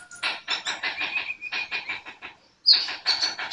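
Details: Sunbird in vigorous song: a dense, rapid stutter of high chirps that form a buzzy trill, a brief pause, then sharp high squeaks and renewed fast twittering.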